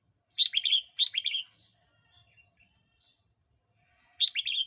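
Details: Red-whiskered bulbul song recorded for playback to provoke wild birds or teach young birds: short bright bubbling warbled phrases, three chirpy bursts with a few soft notes between, in an otherwise quiet setting.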